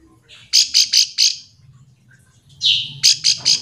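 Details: Bar-winged prinia using its call to goad other birds into replying: a quick series of four raspy, buzzy notes, a brief pause, then a drawn-out harsh note followed by three more rasping notes, over faint low background noise.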